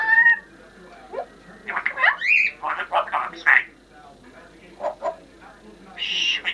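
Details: Talking pet Congo African grey parrot, a female, wishing a Happy New Year indoors; a whistled tone opens, then rapid speech-like syllables and a sweeping whistle, ending on a harsh higher burst.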